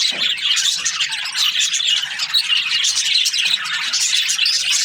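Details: Breeding pairs of budgerigars in an aviary keep up a busy, bright twittering, with thin whistled notes rising above the scratchy overlapping chirps of many birds.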